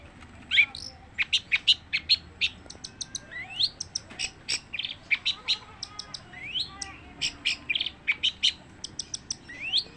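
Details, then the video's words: Long-tailed shrike singing without pause: a long busy sequence of high sharp notes, rapid ticks and occasional upslurred whistles, evenly spread across the whole stretch. "kicauan cendet tanpa jeda"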